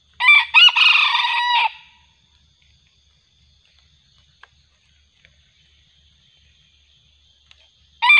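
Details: Junglefowl crowing during a lure hunt with a decoy bird, the wild bird described as growing fiercer. One harsh, broken crow of about a second and a half, then a long quiet stretch with faint ticks, and a second crow starting at the end.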